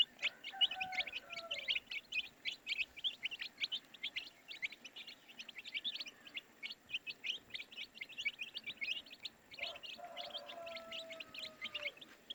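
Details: Baby chicks keep up a rapid chorus of shrill little peeps, many birds calling at once, while a fainter lower drawn-out tone appears at the start and again later.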